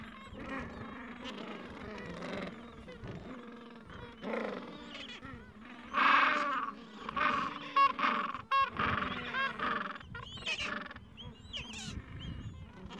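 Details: Gentoo penguins at their Falkland Islands breeding colony on a mild afternoon, tending young chicks of two to three weeks; a quieter murmur of calls builds into loud, pulsed braying sequences in the middle, then softer chatter.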